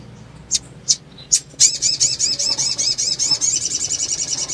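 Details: A female sunbird's call in breeding condition, said to stir males to sing: a few sharp, high chips, then a rapid, thin twitter of repeated rising-falling notes, about two or three each second.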